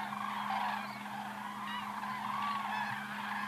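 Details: Flying cranes recorded in 2014, giving soft, overlapping, wavering calls from several birds, fairly even in level, with a constant low drone beneath.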